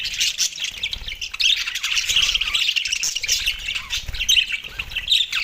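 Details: Several Australian budgies feeding on soft food on December 4, 2023, keeping up a dense, unbroken warbling chatter of squawks and high twitters throughout.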